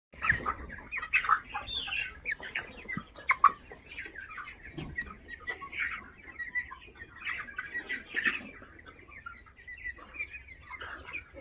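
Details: Thirty-day-old broiler chicks calling in a group, a dense chorus of overlapping peeps, chirps and soft clucks, with a low background hum.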